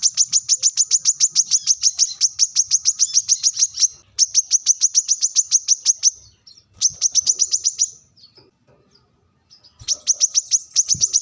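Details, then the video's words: A brown-throated sunbird challenging rivals with bursts of fast, piercing, high-pitched chips, three long runs and a later one separated by short silent pauses, with faint low knocks in the background. "kolibri kelapa | manggar | wiceh | suara tajam memanggil lawan"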